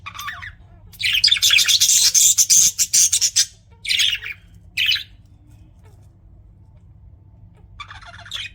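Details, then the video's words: Budgies kept as pets break into a loud, rapid, buzzy warble for about two and a half seconds, then two short scratchy chirps, a long quiet pause and a faint final twitter. "BUDGIES CHIRPING SOUND"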